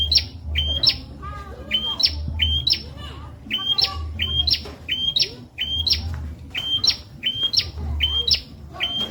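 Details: Bar-winged prinia singing as training material for captive magpie-robins and leafbirds. Bright two-part notes, a steady whistle snapping upward, repeat almost twice per second in an even series, with soft lower twitters and a background hum.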